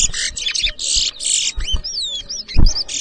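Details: Bird ground contest in Edinburgh Village, Guyana, 2023, where two chestnut-bellied seed finches (towa towa) compete at whistling; loud buzzy bursts alternate with smooth, gliding whistles, with a thump and murmuring people in the background.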